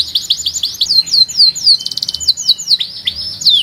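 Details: Canary in full song with a distinctive rhythm, delivering a run of high falling chirps, then a rapid buzzing rattle and a thin sustained whistle, then further swooping notes.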